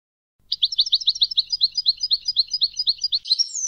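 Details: European goldfinch singing in the campero style, a competition song: a quick, steady string of about twenty-five bright, high chirping notes in a rapid even rhythm, ending in a thin rising twitter.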